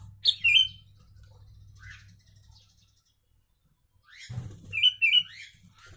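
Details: Sooty-headed bulbul singing a song filled with Javan myna imitations: short bright whistled notes open the phrase, then silence, then a second burst of sharp, slightly buzzy whistles and chirps, with a faint low hum beneath.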